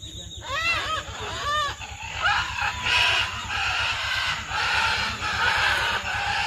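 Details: Wild parrots in their natural habitat give two arching, squawky whistles, then the flock breaks into harsh, overlapping screeches over a steady low hum.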